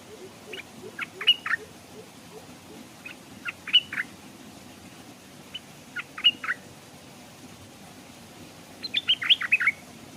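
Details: Stripe-throated bulbul decoy in a cage by a stream, wild birds coming close; scattered groups of sharp chirps repeated over ten seconds, ending in a denser burst, with soft lower twittering early on.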